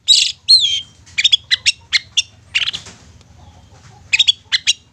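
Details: A long-tailed shrike lure song for coaxing quiet, sulking shrikes to sing: two loud slurred whistles open, followed by clipped high chips in small groups, a short gap, then more chips.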